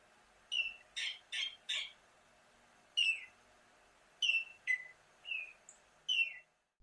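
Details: Altamira Oriole in the far south of Texas along the Rio Grande, where mated pairs call back and forth while foraging side by side: harsh, chattering notes given singly or in quick runs of three, with pauses between bursts.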